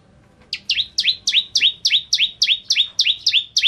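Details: Bar-winged prinia (ciblek kristal) singing vigorously in a tutor recording: after a brief quiet start, a steady run of high, sharply downslurred chip notes repeats about three times a second.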